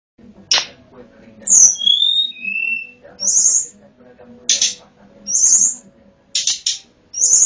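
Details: Sunda Robin, the local tledekan gunung, in a recording played to lure wild birds; sharp high buzzy bursts alternate with clear whistled notes sliding downward, with soft low murmurs underneath.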